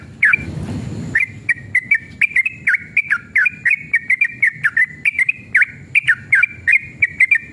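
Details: Sooty-headed bulbul in full, agitated 'ropel panjang' song used as a lure: a broadband rushing noise for about a second, then a fast run of bright, slurred whistled notes with sharp dips, several per second, over low background hum.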